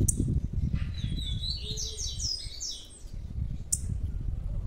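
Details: Large blue-black grassquit chick: a fast run of bright, descending chirped notes, fairly loud, followed by a sharp click, with low rumbling noise beneath.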